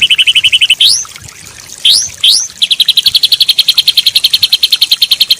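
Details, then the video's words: White-rumped shama song used to train a stressed bird that has stopped singing: a fast high trill, three sharply rising whistles, then a long, steady, rapid trill. "Masteran Ampuh Untuk Murai Batu Macet, Setres"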